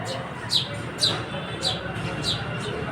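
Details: House sparrow, called gauriya: short, bright, high chirps repeated roughly every half second against a steady background hiss.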